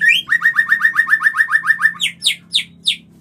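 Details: White-rumped shama in mating lure song: about a dozen identical rising whistled notes in quick even succession, then four or five sharp high upslurred notes spaced further apart, over a faint low hum.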